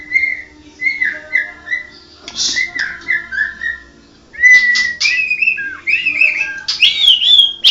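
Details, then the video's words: Medan-type mottled ('blorok') white-rumped shama in rich song, varied warbled whistles dipping and rising in short phrases, then a louder, busier run of loud slurred whistles and high accents; a low electrical hum underlies it. "Burung Murai medan blorok"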